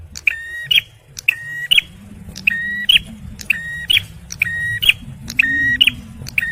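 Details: Male bar-winged prinia in full song, offered as a lure and to prompt stressed birds: a steady, buzzy level note followed by a sharp bright click, the pair repeated about once a second over a low rumble.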